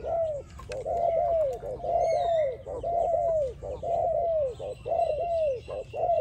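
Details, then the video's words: Spotted dove singing for training: a steady series of low, arched coos, each rising then falling, delivered in quick pairs and runs with brief gaps, with faint higher bird chirps in the background. "Training Spotted Dove, Sound spotted dove training singing"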